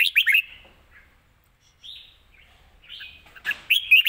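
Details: Live song of a caged red-whiskered bulbul in the fast-chopping 'rik' style valued in Thailand: an opening burst of quick slurred notes, a quiet gap, then a brighter warbled phrase.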